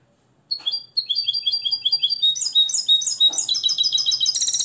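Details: Moroccan nest-raised European goldfinch trained in the limpio song style delivers a fast run of bright, twittering notes about twice per second, rising into tight, high trills and ending in rapid metallic tinkling.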